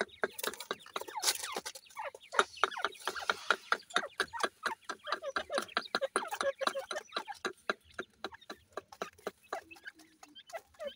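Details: Grey francolin female tending and feeding chicks: a long, rapid run of dry clucking pulses, several per second, steady for about ten seconds and then thinning out, with faint chirps mixed in.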